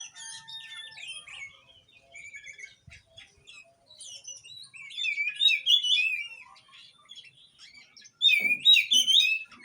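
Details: Oriental magpie-robin (kacer) song played to stir a bird that has stopped singing: varied whistled and chattering phrases, with loud bursts of rich warbled, sliding whistles near the end, over quieter background birdsong.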